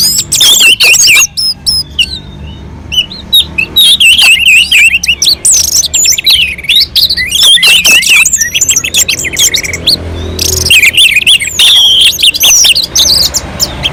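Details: Long stretch of continuous, melodious orange-headed thrush song recorded on a mountain slope and used to provoke other birds; rapid varied whistles, trills and sharp chirps run on with only brief pauses.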